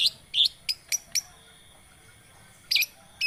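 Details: Long-tailed shrike lure recording: two harsh high chirps and three thin ticking notes, then a long silence before more loud chirps at the end.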